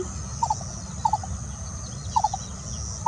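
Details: Lesser coucal singing in the early morning, 18 May 2022, gives short, hollow hooting notes in quick clusters of two or three, about once a second, over steady insect hiss and low rumble.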